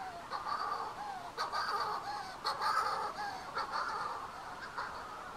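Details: Manx shearwaters near the Bird and Field Observatory on Bardsey Island give harsh, throaty crowing calls. The calls overlap in a raucous cackling chorus, with new bursts roughly every second or two.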